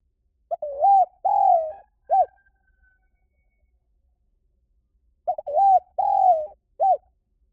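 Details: Spotted dove lure call: a mellow cooing phrase of a short note, a hooked coo, a long falling coo and a short closing coo, given twice about four seconds apart against a quiet background.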